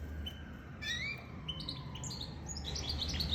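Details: Goldfinch mule, hybrid of goldfinch and canary, delivers short rising whistles followed by a quickening run of high twittered notes, set against a low background rumble.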